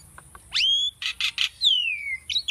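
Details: Asian starling song used for bird training: a rising whistle that levels off, three harsh buzzy bursts, then a long clear whistle sliding downward and a quick closing chirp, over a faint constant high whine.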